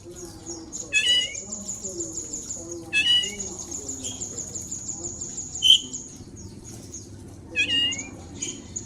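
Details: Oriental magpie-robin in training, giving spaced, high, bright phrases with descending slurred whistles about every two seconds, over a steady thin high tone and low background rumble.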